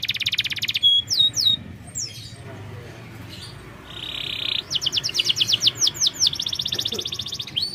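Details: Canary lure song for a reluctant singer, delivered in bursts: a fast high trill and slurred whistles, a pause with a buzzy note, then quick repeated downslurred notes.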